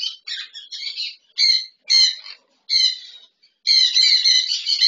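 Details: Two sun conures, one double red factor and one normal, playing in an aviary; harsh, screechy squawks in short bursts separated by brief pauses, ending in a longer continuous burst of grating calls.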